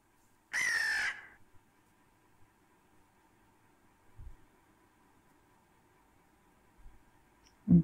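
A single harsh, hoarse crow caw, about half a second long, followed by a faint steady hum and a few soft low thumps.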